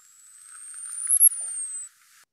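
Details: Male Costa's hummingbird singing vocally from a perch: a thin, very high whistle that slowly rises for over a second, blips at its peak, then slides back down.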